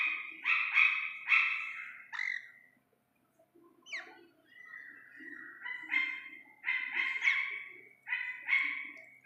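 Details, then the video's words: Chick of the Iranian partridge in a clear natural recording: rapid clusters of sharp harmonic syllables, a short gap, then a long level note running into more repeated bursts. "ایرانی تیتر کے بچے کی اصلی آواز"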